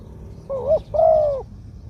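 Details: One full 'kuk khu-ang' phrase from a mid-voiced spotted dove decoy: a short wavering coo rising at its end, then a longer level coo that drops away.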